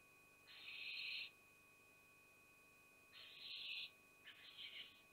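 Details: Barn owl family at Théding, 5 July 2021: the mother pushes away her young. Three harsh, breathy hissing bursts, the first about a second long, the last broken into two shorter puffs, over a steady faint hum.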